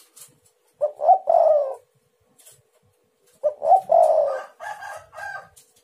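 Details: Spotted dove cooing, used to draw and provoke other doves: two low phrases of short rising notes and a sustained coo, the second phrase trailing into brief fainter higher notes.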